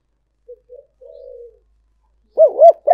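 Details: Spotted dove decoy call used for luring: a faint short coo, a doubled coo and a long soft croon, then a much louder close burst of arched, bubbling coo notes at the end.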